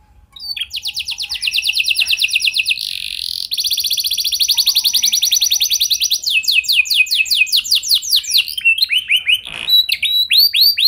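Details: Canary delivering a long, elaborate song used to get other canaries singing: builds from silence into a very rapid high trill, a harsh buzz, long fast trilling, then sweeping notes and rising whistles.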